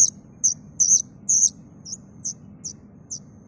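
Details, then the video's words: Plaintive cuckoo chick calling: very high, thin, sharp chirps, some single and some doubled, repeated about twice a second and fading toward the end, over a low background rumble. "suara anakan burung kedasih"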